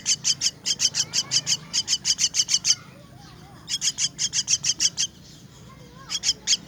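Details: Feeding time for myna chicks, with loud rapid series of sharp, high-pitched chirps in repeated bursts separated by short quiet gaps and a faint low hum beneath.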